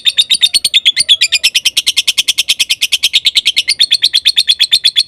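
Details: Lovebird singing, used to provoke and excite other lovebirds: a continuous, rapid chatter of harsh, squeaky notes mixed with thin whistled tones.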